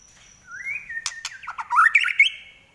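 White-rumped shama singing: a rising whistle, a couple of sharp clicks, then a rapid burst of bright, warbled notes ending in a high sustained whistle.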